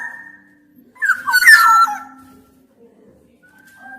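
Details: Black-naped oriole producing one brief, loud, rich whistled and raspy phrase after a faint opening note, followed by near quiet and a soft trailing whistle.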